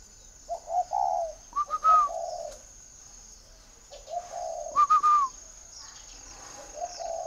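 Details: Spotted dove kept by a breeder in northern Vietnam giving short stepped coos and longer mellow coo phrases, with two bright higher whistles between them.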